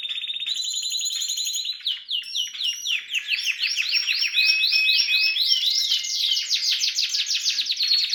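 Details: Harz canary singing with red and variegated canaries, opening with a steady buzzing trill, then rapid rising and falling slurred notes and rolling trills.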